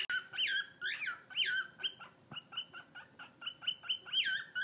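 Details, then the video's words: A rescued bird sings wheeking, guinea pig-like notes: loud chirps at the start and end, and between them a steady string of short squeaky whistles repeated about twice a second. "New rescue bird sings the song of his people."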